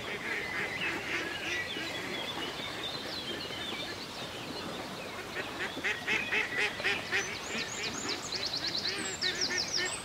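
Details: Ducks on a country lake quacking in a rising flurry: harsh, rhythmic calls that grow louder and faster toward the end, with higher thin bird notes and a background wash of water.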